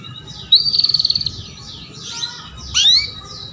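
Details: Female canary luring a young male canary to sing; a fast rattling trill of about a dozen notes, soft descending twitters, then one loud rising swept chirp.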